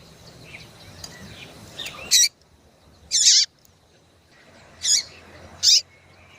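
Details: Yellow-bellied seedeater female calling to stimulate males: four quick, loud, raspy high-pitched bursts spaced unevenly, one longer and slightly falling, with faint thin whistles and low hum in the background.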